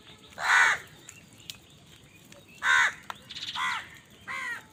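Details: Harsh, drawn caws from crows fighting for food: one loud caw, a long pause, then three more in closer succession. Soft background clicks are heard between them.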